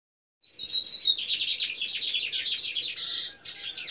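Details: Caged lined seedeaters (Sporophila lineola) singing: a thin, steady whistle opening into a fast, jumbled, unbroken run of high twittering and buzzy notes.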